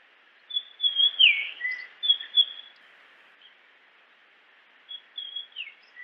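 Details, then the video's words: Japanese grosbeak singing in natural habitat: one whistled phrase with a sharp downslur and lower note, a pause, then another brief run of high whistles ending in a slurred note. "Grosbeak japonês Som de pássaro, música de ave, chamado do passaro melodia"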